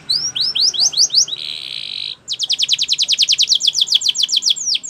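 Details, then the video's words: Training song of a Spanish Timbrado canary: rising whistled notes, a steady buzzing trill held for almost a second, then a long fast series of clear downward-sweeping notes. "Canary Training Champion Song"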